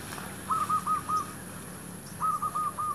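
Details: Zebra dove used to lure wild doves near shops, its soft, somewhat distant phrases of evenly spaced cooing notes heard twice amid background hum.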